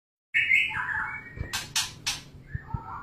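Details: White-rumped shama during mating: a bright whistled phrase, then lower warbling notes broken by three sharp broadband bursts like wing flaps, with soft tapping underneath.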